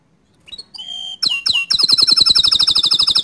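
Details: Canary singing to get other canaries going: a soft rising note and a steady whistle, two swooping slurs, then a fast, loud, even trill of high repeated notes to the end.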